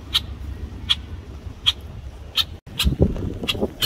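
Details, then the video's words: A male Red-winged Blackbird protecting its nesting area, approached near the nest by kayakers, repeats sharp, dry alarm check notes about every three-quarters of a second over a low rumble of traffic or wind. "Red-winged Blackbird protecting its nesting area"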